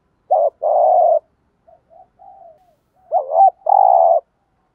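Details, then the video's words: Decoy spotted dove giving a driving coo to attract wild doves: a short hoot and long buzzy tremolo coo, faint low murmurs, then another bent hoot and a rattling sustained coo. "cu gáy kích bổi nhanh nổi và hiệu quả, tiếng chim cu cườm gáy thúc gù bài bản/ cu đất gù đấu"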